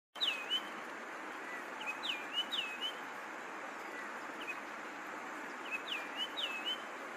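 A longclaw gives thin, high, down-slurred whistles, often in quick pairs or triplets, spaced a second or two apart over a steady background hiss.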